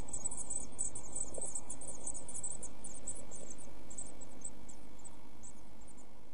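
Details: Eurasian blue tit nestlings about a week old in a nest box, early June: dense, fast, high-pitched chirping, nearly four notes a second, thinning out towards the end, with a constant low hum beneath.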